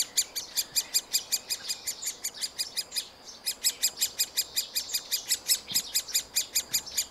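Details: Middle spotted woodpecker young at a tree-hole nest during feeding by both parents; a long run of sharp, rasping high notes repeated quickly and evenly, pausing briefly once before resuming.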